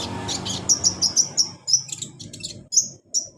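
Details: Caged olive-backed sunbird (kolibri ninja) song meant to stimulate a reluctant bird to sing: a quick string of piercing high chips, roughly three per second, with some thin trilled notes, over faint low rumble.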